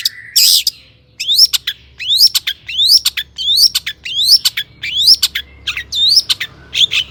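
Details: Long-tailed shrike singing to provoke rivals into song: after one harsh squawk, sharp rising chirps repeat a little faster than once a second, with faint thin whistles between.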